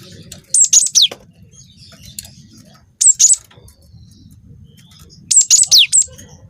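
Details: Young gelatik batu, the cinereous tit, Wingko type, singing for a provoking recording; three spaced phrases of two to five thin high whistles with quick downward slides, about every two and a half seconds.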